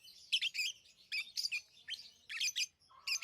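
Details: Tame pet lovebirds chirping: clusters of shrill, high-pitched chirps come in quick bursts about once a second, with brief quiet gaps between them. No other sounds are heard.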